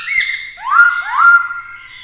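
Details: Black-throated laughingthrush, a caged male stirred up by a female and singing to challenge rivals, gives two loud upslurred whistles in quick succession, each rising and then holding a level tone.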